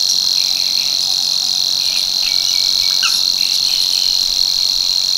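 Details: Male Savi's warbler singing at Tancat de l'Illa, l'Albufera, where it returns from tropical Africa from March to breed. The strident, monotonous reeling buzz runs unbroken and high-pitched for the whole stretch, with faint chirps from other birds underneath.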